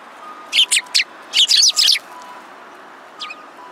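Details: Several sparrows recorded on 22 February 2017 give bursts of loud, high, sharp chirps in two quick clusters, three notes then four run together, followed by one faint chirp, over a low steady background hum.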